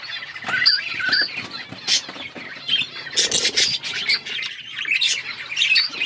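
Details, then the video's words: Budgies chirping over seeds: clear whistled notes and scratchy squawks tumble in uneven bursts, building into busier overlapping chatter in the second half, with clicks mixed in. "Birds eating seeds budgies chirping sounds"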